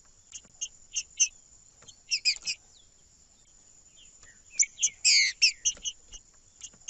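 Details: Green-winged saltator song, played to warm up a cold bird, with short paired chirps repeated at about half-second intervals, then a dense, loud burst of rapid buzzy notes and a few scattered chips afterward; a steady high electronic tone runs throughout.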